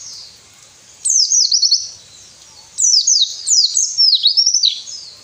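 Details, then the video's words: White-eye song for encouraging lazy captive birds: three bursts of very high, quick descending twitters and slurred notes, each lasting under a second to about two seconds, separated by brief pauses. "masteran burung pleci males bunyi"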